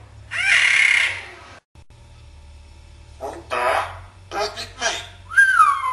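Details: Pet common hill myna imitating Afrikaans speech indoors: a bright, hoarse burst, a pause, then several raspy speech-like syllables and a falling whistled note at the end.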